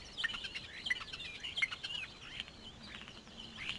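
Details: Two bald eagle chicks being fed by their mother at a live-cam nest on Santa Cruz Island; rapid, irregular high chirps and squeaky notes repeat about eighty times a minute over faint hiss.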